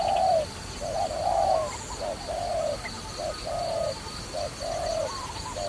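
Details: Dove used for trapping utters a steady run of coos, each short note answered by a longer one, roughly one pair per second, with a faint high hum behind.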